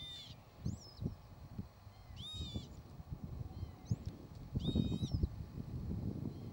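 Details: Northern lapwing (Vanellus vanellus) giving two loud, nasal, wheezy calls about two and a half seconds apart, each with a slurred, cat-like tone, over strong low rumbling wind or handling noise.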